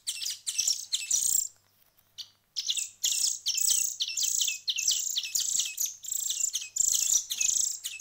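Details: Hand-fed bird chicks, one week into feeding, giving drawn-out high rasping chirps in rhythmic bursts, after a brief quiet pause early on.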